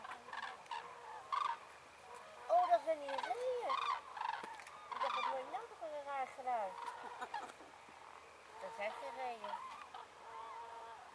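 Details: Dusk on Rügen as thousands of common cranes come in to roost on Ummanz after sunset, some landing on a field: loud overlapping bugling and rolling trumpet calls, several birds at once, with occasional nearer rattling notes.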